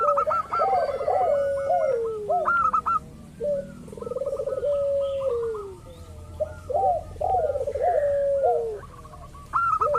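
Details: Lure song of local zebra doves to make rival doves call back: repeated rolling, bouncing coos and sustained sliding notes, with fast staccato higher notes in bursts separated by quieter gaps.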